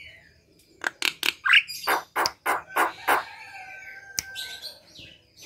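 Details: Javan myna singing vigorously, used as a morning lure to prompt quiet, sluggish mynas to sing; a rapid run of about nine harsh, raspy notes, then a steady whistled tone beneath softer scratchy chatter.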